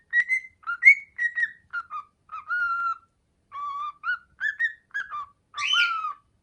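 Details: Indoor pet cockatiel, a male about a few months into learning "Hato Poppo", whistles the melody as roughly a dozen short pure notes in stepwise rising and falling phrases, finishing with a louder, harsher note.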